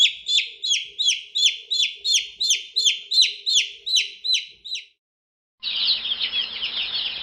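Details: Young chicks: one loud, shrill peep repeated steadily about three times a second, falling in pitch each time. After a short silence a busy chorus of many overlapping high chirps follows.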